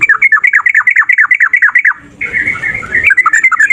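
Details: Long rapid 'ropel' chatter from a fighting male yellow-vented bulbul, played to coax other bulbuls into singing: some twenty quick, rolling notes in two seconds, then a burst of rustling noise with softer notes.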